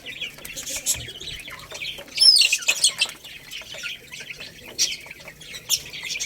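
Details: Baby chicks pecking at rice utter shrill, thin chirps, one sliding call standing out mid-way, with bright clicks and taps throughout.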